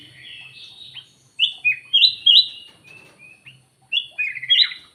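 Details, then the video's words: Black-naped oriole lure call of bright, clipped whistles in twos and threes, separated by brief quieter warbling, over a low background hum. "KUTILANG EMAS \ CUCAK EMAS SUARA PIKAT GACOR"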